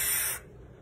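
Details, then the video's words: A barn owl chick, briefly at a wildlife clinic in October 2019 before return to its nest, gives a single harsh, breathy hiss under half a second, rough and airy like escaping steam. "The call of a barn owl chick"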